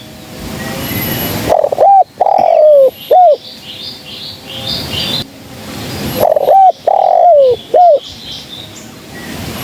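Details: Spotted dove, female, whose call serves as a lure for trapping. Two loud three-part coo phrases: a brief hooked note, a long descending coo, then a short closing note. Soft high chirping from other birds fills the pauses.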